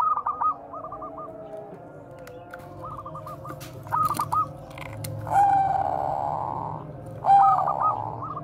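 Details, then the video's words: Bangkok zebra dove cooing, used as a lure bird to train other doves: short rapid stuttering coo phrases with a couple of longer purring notes, over a low background hum and faint clicks. "perkutut BANGKOK BEKUR KOAR-KOAR bagus untuk PANCINGAN PERKUTUT"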